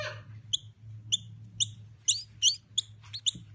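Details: Noisy Miner chicks learning to feed themselves while being raised for release to the wild; short sharp paired chirps repeated about every half second, some quickening and doubling toward the end, over a low steady hum.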